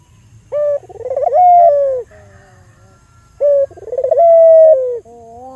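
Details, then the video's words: Local albino Barbary dove calling, a sound used to stimulate other doves: two phrases, each a short note, a quickening rolling trill and a long clear falling tone, with a faint low hum between. "Pancingan Burung Puter Lokal Albino Gacor Suara Merdu"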